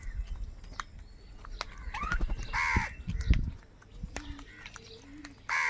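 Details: Huge flock of crows crowing and crying while fighting for food; harsh, buzzy caws burst out irregularly, loudest near the middle and at the end, over scattered clicks and a steady low rumble.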